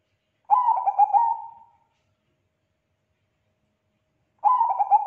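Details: Actively singing Bangkok zebra dove whose song sets other zebra doves answering: a short rippling string of coos closing on a long note, a quiet gap of several seconds, then the same pattern starting again.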